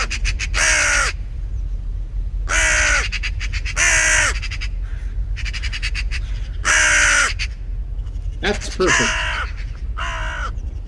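Common Raven giving six harsh, throaty croaks spaced one to two seconds apart, with a dry, rattling chatter between them like a magpie.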